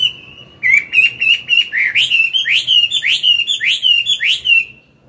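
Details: An old wild-caught hwamei sings at morning in forest style to train newly caught birds: a long steady whistle leads into a fast, even run of loud sweeping whistled notes repeated about twice a second.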